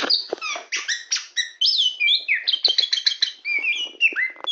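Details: Champion, very tame poci-type Oriental magpie-robin sings from a hand, pouring out a dense medley of bright whistled notes, quick buzzy chips and swooping slurs, almost without pause, ending on a falling whistle.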